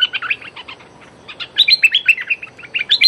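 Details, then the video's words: A decoy streak-eared bulbul calls at a captive female: dense, rapid chattering of bright, clipped chirps and slurred notes, pausing briefly mid-clip before a louder burst. "เสียงต่อนกดอกแตงEp.167 จ้าวขุนศึกร้องริกใส่เชลย เชลยลูกเสอตัวเหมีย Suara pikat merbah lekir"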